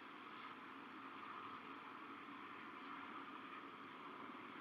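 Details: Even, broad mechanical hum like a distant engine, with no animal voices.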